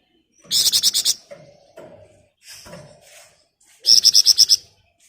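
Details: Flamboyan bird in ngebren rapat nyerecet style: a rapid train of six rasping high notes, softer scratchy sounds and a low hum in between, then another run of seven harsh buzzy notes.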